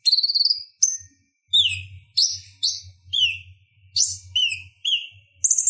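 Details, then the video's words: Purple-throated sunbird (konin) chattering song meant for training other songbirds: high, sharp, descending chirps and buzzy trills in quick bursts with short pauses, plus a faint low hum underneath. "Suara Ocehan Konin Gacor Tajam Ampuh Buat Masteran Kolibri Ninja | Purple-throated sunbird"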